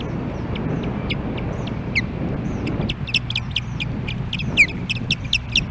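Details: Female osprey on the nest calling for her mate, Hellgate Canyon, Missoula, Montana, July 14, 2016, nest camera: a fast, excited series of high chirps and whistles, quickening toward the end, with one strong downslurred note.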